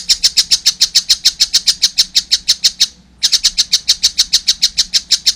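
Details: Juvenile collared kingfisher: two steady runs of loud, harsh, high-pitched notes, about three per second, separated by a short silence midway.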